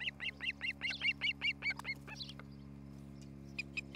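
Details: At a nest in Charlo, Montana, a nest camera on 07-11-2018 near 8:36 picks up an osprey giving a rapid run of about ten ringing, whistled chirps that then fade into sparse notes, over a steady low electrical hum.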